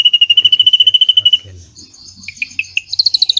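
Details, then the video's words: Drongo with cililin filling, intended for teaching white-rumped shamas: a steady rapid rattle of identical ringing notes for about one and a half seconds, a pause, then spaced sharp chips and a higher quick trill. "SRIGUNTING ISIAN CILILIN NEMBAK PANJANG"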